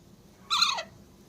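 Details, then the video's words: A baby Alexandrine parakeet on its first day in a new home gives a single harsh, raspy squawk of about a third of a second, dropping in pitch at the end; otherwise quiet. "baby alexander parrot"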